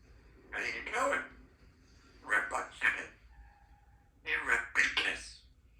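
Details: A 3-year-old female Congo African grey parrot talks in three short speech-like phrases, each about a second long, with a brief soft whistled tone between them.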